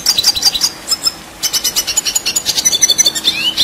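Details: Red siskin, a contest-bird singer, in continuous rolling song: dense buzzy trills of rapid repeated pulses mixed with thin high whistles, briefly dropping quieter before surging again.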